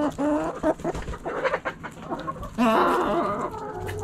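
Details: Backyard chickens, hens clucking in a flock: overlapping short harmonic clucks and squawks, a louder burst of cackling around the middle, with steady low background hum.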